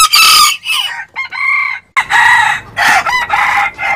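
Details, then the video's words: Rooster crowing loudly in hoarse, broken bursts, several strained phrases in quick succession with a raspy, cracking tone; described as a baby rooster crowing. "baby rooster crowing. Adult rooster sound."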